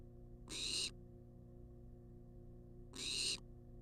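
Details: Wild barn owl demanding food, filmed by a nest-box cam: two breathy, rasping screeches about two and a half seconds apart, each under half a second, over background hum.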